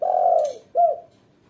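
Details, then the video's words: Female spotted dove used as a lure and training model for beginners: one long low coo followed by a shorter, slightly rising coo, with a brief hiss between them. "Suara tekuku betina gacor jos buat pancingan dan masteran pemula"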